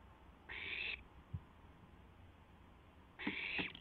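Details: Barn owl owlet exercising its wings on a nest camera around midnight, April 12, 2016; two harsh, airy hisses nearly three seconds apart, with a light tap and scratching clicks near the second.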